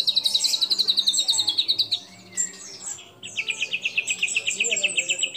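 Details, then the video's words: A white-rumped shama sings with mimicked sooty-headed bulbul, cililin, lovebird and canary calls, giving a long, rapid, buzzy high trill, a short break with faint notes, then another steady trill at slightly lower pitch. "Murai Batu Gacor Isian Kapas Tembak Sambung Cililin Lovebird Kenari"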